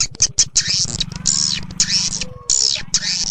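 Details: Swiftlet lure call used to attract swiftlets to roost: dense, rapid high twittering chirps in bursts, with a steady low hum underneath and a few faint thin whistles.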